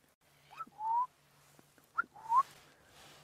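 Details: On an afternoon safari drive on 24 June 2016, crowned lapwings call as zebras come through. The clip has two loud, ringing whistled calls about a second and a half apart, each a short sharp note sliding into a rising whistle.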